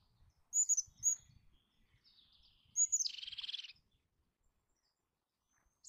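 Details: Eurasian jay producing a single harsh, rasping screech near the middle, preceded by two sharp high notes and a faint thin trill, with light low background noise.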